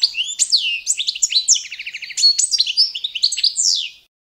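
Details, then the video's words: European goldfinch, Balkan subspecies Carduelis carduelis balcanica, giving standard competition song: lively high twitters, a rapid even trill in the middle and sweeping slurred whistles, stopping abruptly after four seconds. "goldfinch song - World Championship"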